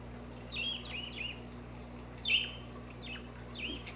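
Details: Budgerigar calls: a run of bright, quick down-slurred chirps, with one louder chirp in the middle and a few fainter ones trailing off, against a low background hum.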